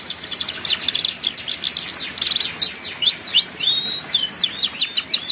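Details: Canary singing ngeriwik song used to tutor juvenile birds: dense rapid trills and chirps, then a series of wavering up-and-down whistled sweeps and more fast repeated notes.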